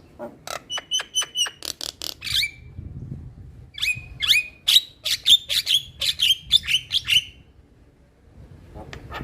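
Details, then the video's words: Male Javan myna song: a rapid burst of crisp clicks and rasping notes, a brief pause, then a lively run of harsh notes each topped by a short high whistle, fading to quiet. "Suara Alam Jalak Kebo Jantan Bikin Burung Jalak Yang Dengar Langsung Buka Suara"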